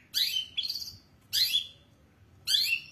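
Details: Long-tailed shrike giving four harsh, raspy, buzzy notes, the first two close together, then spaced pauses of roughly a second between bursts; faint low background hum.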